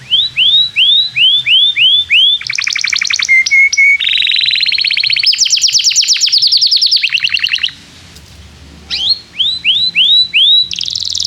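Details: Canary singing as a lure for young birds learning song: repeated arched whistled chirps, a buzzy fast trill, a short clear whistle pair, a long high rolling trill, a pause, then more arched chirps and a final buzzy burst.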